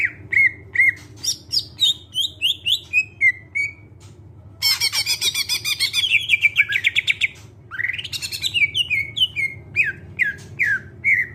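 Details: Greater green leafbird song, played as a lure so other birds start singing: clear whistled slurs sliding down in pitch, a dense burst of harsh chattering in the middle, then more descending whistles. A faint low hum sits behind.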